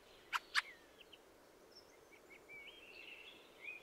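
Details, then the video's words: Two loud, harsh chacks open, followed by thin squeaky chirps and a rising, scratchy warble from a fieldfare, with light background hiss. "The song of the Fieldfare"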